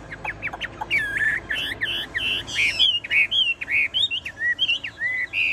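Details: Caged Chinese hwamei, a tame singer, pouring out rapid whistled notes: quick upswept and looping phrases repeated in bursts, some harsher and squeaky, building to a loud, continuous sequence.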